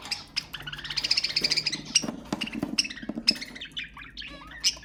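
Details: Budgerigars warbling to stimulate other budgies, a lively run of rising and falling chirps, whistles and squawks, dense at first then more broken.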